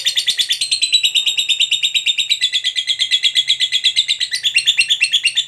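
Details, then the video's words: Fighter lovebird's extended 'ngekek panjang' chatter, meant to make other lovebirds respond: a steady, shrill, rapidly pulsing trill with a slight drop in pitch partway through, filling the whole five seconds. "KICAU LOVEBIRD GACOR NGEKEK PANJANG Bangkitkan EMOSI, Lovebird Yang DENGAR Nyaut BUNYI Seketika"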